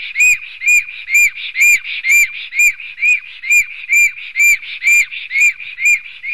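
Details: Two male black storks fight at a nest in Sigulda municipality, Latvia, on the morning of 11 June 2020. Loud, evenly spaced arched whistles, about two a second, each with a ringing high edge and breathy overtones.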